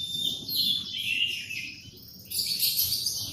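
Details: Morning canary song: a high buzzy warbling trill that wavers in pitch, then jumps to a rapid, even higher twittering run near the end.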